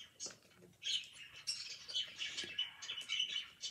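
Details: A budgerigar chatters in quick, scratchy chirps and warbles while eating, high-pitched and fairly continuous with brief pauses between bursts.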